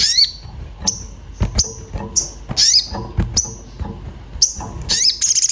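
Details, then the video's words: Orange-bellied flowerpecker in an agitated mood seeking a mate, used as a lure: many short thin high whistles interspersed with occasional harsh downslurred calls, over scattered clicks and low bumps. "Cuit cuit sogon emosi mencari teman untuk pancingan bunyi"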